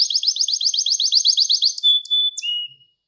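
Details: Gloster canary training song used to excite males and teach young birds, opening with a rapid run of downward-sweeping notes, then closing on two long, pure whistles.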